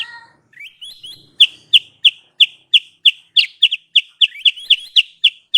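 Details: Trapping lure of a sooty-headed bulbul: a few soft rising whistles open, then bright, high, sharply slurred chirps repeated steadily about three a second.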